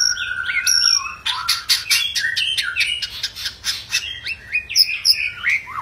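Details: Angry white-rumped shama singing aggressively to goad rival birds into song: a burst of sharp clicking rattles followed by quick slurred whistles and chattering phrases, loud and continuous.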